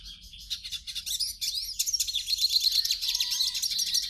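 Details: Captive hooded siskin used to warm up another caged bird: a fast, twittering stream of high, tinkling notes with buzzy trills and a brief lower whistled tone near the end.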